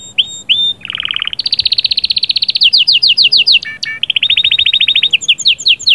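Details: Canary performing trills and rolls to excite a female: brief whistles open into a long, fast, steady buzzing roll, broken by a short low note, then another rapid trill.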